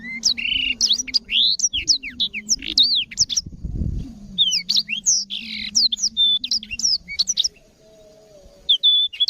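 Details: Black-throated canary singing steadily, offered as a tutor recording for canaries: rapid, clear bursts of varied whistles, sharp up-and-down notes and trills, a brief lull near the end, over a constant low hum.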